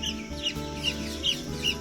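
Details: A chick just hatched in an incubator, which the owner believes is a chukar, gives high, thin peeps about every 0.4 seconds over a steady low mechanical hum.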